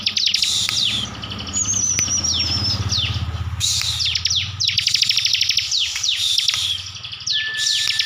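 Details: Kept Bar-winged prinia from Tegal, Central Java, delivering 'full tembakan' song: machine-gun bursts of shrill ticks and falling sweeps, a thin wavering high whistle, with a soft low rumble underneath in places.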